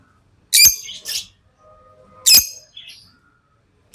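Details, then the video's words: Pet lovebird calls: loud, shrill single chirps roughly every one and a half seconds, each followed by a softer, scratchy note, over a faint, steady thin tone. "Love birds Sounds | lovebirds chirping sounds"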